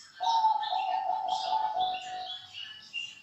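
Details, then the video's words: Zebra dove (perkutut) gives a steady, rolling, mid-pitched coo lasting about two seconds, with higher chirps from other small birds around it. "Suara BURUNG Perkut Indukan Juara"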